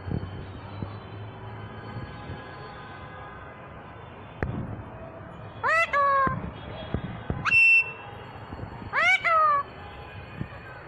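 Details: Alexandrine parakeet in Bangladesh talking: three loud, sharp, harmonic-rich bursts, each under a second, rising then falling in pitch and spaced about one to two seconds apart, over a steady low background hum with a few faint clicks.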